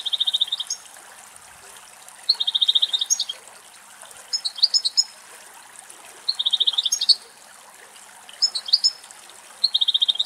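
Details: European goldfinch, two males drinking running water from a spring in a forest in Greece; song phrases open with a rapid pulsed trill on one pitch, then higher twittering notes, recurring about every two seconds with short gaps, over trickling water.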